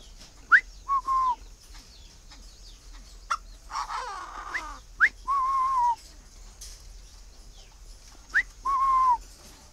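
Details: Tame captive male Chinese francolin calling while waiting to be paired with a female: three calls, each a short sharp rising note, then a longer whistled note that slides down at the end, with soft clicks between.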